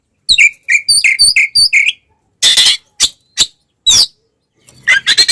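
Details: Oriental magpie-robin fighting song meant to enrage other magpie-robins; a quick series of repeated down-slurred whistles, then harsh rasping bursts and short sharp notes with brief silences.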